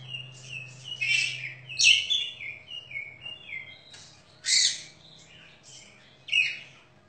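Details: Champion contest Oriental magpie-robin with very clear, active singing and sharp fill-ins. Varied song of high sweet whistles, harsh squeaky bursts and descending slurred notes, in uneven clusters over a faint low hum.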